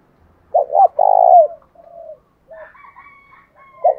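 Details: Spotted dove calls of male and female as a fighting lure; a loud two-note then long burred coo, softer short coos and a thin drawn-out call, and a new coo starting at the end.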